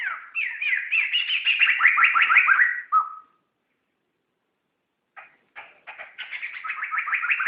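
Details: Laughingthrush song from a recording meant for tutoring other songbirds: a rich, fast warbled phrase of rising and falling whistled notes that ends in a short held note, then about two seconds of silence before the bird begins again with scattered notes.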